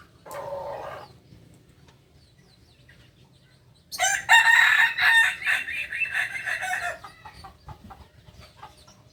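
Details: Kokok Balenggek rooster from Solok, West Sumatra, a native chicken breed bred for its multi-level crow. A short opening note is followed by silence, then a loud crow breaking into a run of choppy pulsed segments that fade out.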